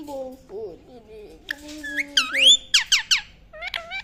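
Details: Indian ringneck parakeet chirping: after a low, voice-like opening, a quick series of sharp, high, sweeping chirps and whistles with sliding pitch, some faint background music.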